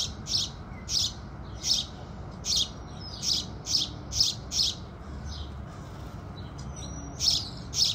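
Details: House sparrows singing with the rising sun: loud, clipped, buzzy chirps repeated about every 0.7 seconds, with a brief lull in the middle and a faint thin whistle, over a steady low background rumble.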